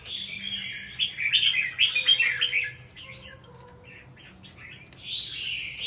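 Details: Red-whiskered bulbul, kept caged for singing contests in Vietnam, giving a loud rapid warbled phrase, then quieter scattered notes, and a fresh burst of song at the close.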